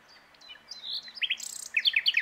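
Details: Common nightingale (Luscinia megarhynchos) singing from its branch at Plan d'eau du Breuil, Bourbon-Lancy: a quick, varied phrase of high whistles and buzzy notes ending in a rapid run of repeated chirps, about eight a second.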